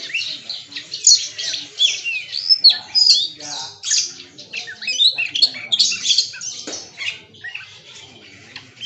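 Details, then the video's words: Magpie-robin, known locally as kacer, in a bongkar isian performance: scratchy squawks mixed with piercing whistles and rapid chirps, varied and almost unbroken. Other birds call faintly behind it. "Suara Burung KACER bongkar ISIAN"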